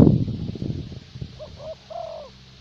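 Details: Spotted dove of the 'thổ bầu' decoy type kept in Vietnam for luring: after a sharp bang, three soft low coos, two short then one longer drawn-out note, over faint background hum.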